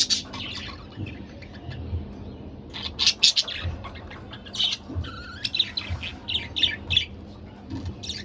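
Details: A couple of pet budgerigars chattering: a continuous run of rapid scratchy chirps, clicks and short squawks in uneven bursts throughout, with a faint low background hum.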